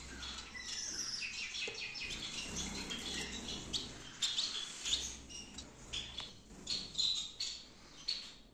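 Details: Gouldian finches kept in a breeding aviary in Peshawar chatter steadily, with dense high tweets at first, then separate sharp chirps bursting out every half second or so over a low hum.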